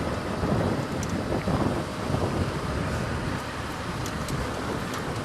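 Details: Steady low rumbling of rain and distant thunder, or a vehicle engine, with no animal voices.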